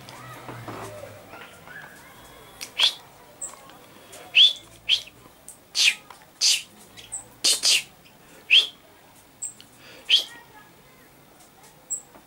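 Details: Common chaffinch calling on 15 August 2013: short, sharp chirped notes at mid-high pitch, given singly or in quick pairs at irregular intervals of about a second, with faint clicks and knocks in the background.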